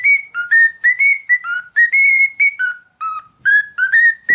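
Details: Cockatiel whistling a lively tune of short clear notes, alternating higher and lower tones, about two notes each second with almost no break, loud and close.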